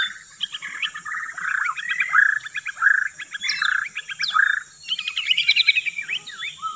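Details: Shama lure song with repeated harsh buzzy bursts alternating with whistled slurs, then a rapid run of sweet rising and falling notes, over steady high-pitched hiss.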